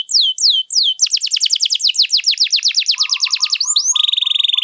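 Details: Canary in full, long song, used to lure or tutor other birds: high slurred descending whistles, then a fast rolling trill of repeated downsweeps, ending in rapid buzzy pulses over a low chattering note.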